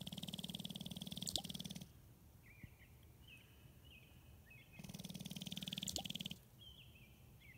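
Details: Sharp-tailed grouse dancing to attract a partner, Glennallen, Alaska, 9 May 2018: two bursts of rapid, dry rattling and stamping, each about two seconds, with short chirping notes in the pauses.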